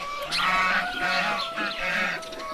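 A domestic goose gives loud, nasal honks, several harsh blasts in quick succession.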